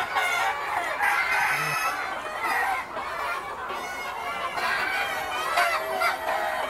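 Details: Free-ranging yard flock of Noi, bantam and crossbred chickens: loud, crowded clucking and squawks in bursts, a brief dip in level midway, then the chatter builds again.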